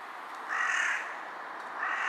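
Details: A carrion crow perched on an electric wire, bowing as it calls, gives a harsh, hoarse caw lasting nearly a second, then a second caw half a second later; quiet background, 18 July 2023, mid-afternoon.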